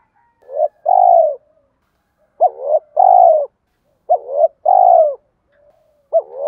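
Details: Repeated two-part phrases from a spotted dove's fighting coo, used as a trapping lure; a wavering rising purr followed by a long smooth coo, about every two seconds.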